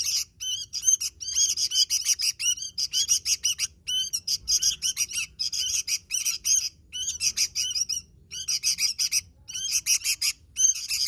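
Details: Sooty-headed bulbul singing energetically at length: a steady series of brisk, harsh chattering bursts, each about half a second long, with brief gaps between them throughout.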